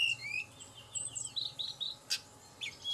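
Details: Tledekan gunung song to provoke singing: a fast chain of thin whistled notes stepping down in pitch, broken by a sharp click, over a low background hum.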